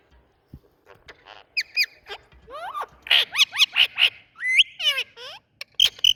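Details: Green Indian ringneck parakeet giving a lively run of calls: short squeaks, harsh chattering notes and rising then falling whistled slurs. A loud burst of rapid squawks comes midway, followed by more sweeping whistles, with no other clear sounds.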